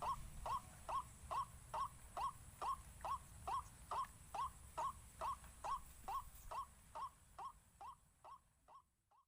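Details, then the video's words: Rhythmic white-breasted waterhen lure calls, intended to make waterhens panic: short rising croaks repeated evenly over two per second, gradually fading out at the end. "PIKAT 4 SISI BIKIN RUAK RUAK PANIK"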